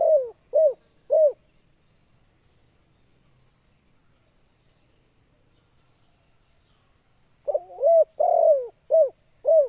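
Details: Spotted dove call used as a lure for other birds: two bursts of low, hollow cooing, first three short coos, then after a long quiet gap a faster run of about six coos, one drawn out and rolling.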